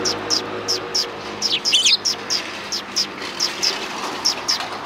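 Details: Sparrows on the approach road to a Tenmangu shrine, 13 December 2019: evenly spaced high pips about three a second, broken by a brief jumbled twitter, with a low steady hum behind.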